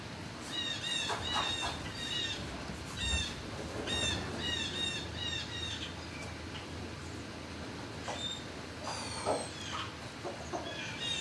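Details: Turkeys in a barn, recorded 26 March 2019 around midday: a dense chorus of overlapping high, harmonic chirps and squawks, repeated in quick runs, over a steady low hum of barn noise.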